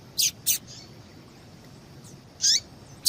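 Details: Female yellow-bellied seedeater, a captive bird, calling to stir a male into song before singing tournaments: five short, sharp high chips, two close together early, then single notes, over a faint steady high hiss.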